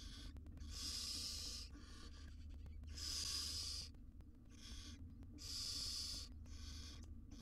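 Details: Barn owl mother grooming tiny chicks in a camera-monitored nest box: three loud snoring hisses roughly every two and a half seconds, each followed by a quieter, shorter hiss, over faint low hum.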